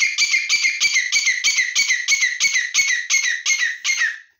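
A grey francolin gives a loud, harsh, ringing series of about twelve scratchy notes, roughly three per second, with no other sounds.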